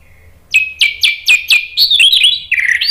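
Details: Orange-headed thrush singing gacor in ngeplong style to stir other birds to sing: a quick series of loud, sharp downslurred whistles, about four a second, running into a fluid warbled flourish.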